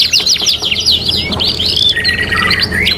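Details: Canary song meant as a training master: quick repeated upward-sweeping notes flow into a sustained whistled note and then a lower rolling trill, with a faint hum below.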